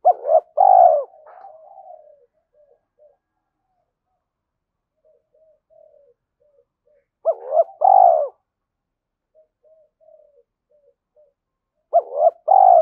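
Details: Spotted dove giving provoking coos aimed at a rival. Three burry coo phrases come roughly every five seconds, each a clipped opening note and a longer throaty coo, with soft faint murmurs between them.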